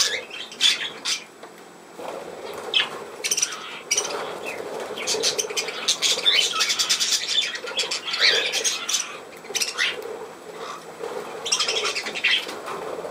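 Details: Several budgerigars on 17 November 2024 keep up a long stretch of scratchy squawking chatter with high chirps and whistled flourishes, loud peaks and quieter pauses alternating, with occasional wing flutter.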